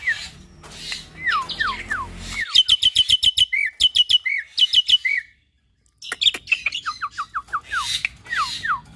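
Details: Hybrid starling from Nias hill myna and Asian pied starling, singing a packed song used to train other cage birds. Falling whistles open it, then a rapid rhythmic series of sharp ticking notes, a brief pause, and more cascading downslurred whistles.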